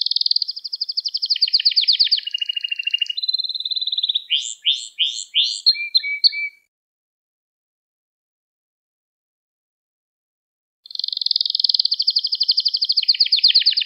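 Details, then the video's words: Canary singing for the training of young canaries: a long fast trill over a lower buzz, a string of sharp rising chirps, about four seconds of silence, then another fast high trill. "Kanaryanız Çıldıracak Ders Gibi Kanarya Sesi Ve Ötüşü"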